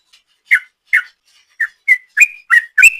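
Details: Short sooty-headed bulbul ropel phrase for luring: seven crisp whistled notes, spaced at first and then quickening, each a brief upward slur, with a quiet background.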